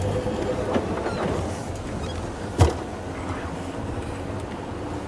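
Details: Low engine rumble from a vehicle on a sunset game drive in the African bush, with a sharp knock partway through and no clear animal calls.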